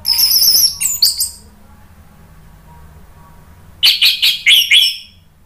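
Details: Orange-headed thrush song used as a lure to prompt other birds to answer: bursts of high, rich chirps and warbled phrases, a pause, then a loud run of four sharp descending notes.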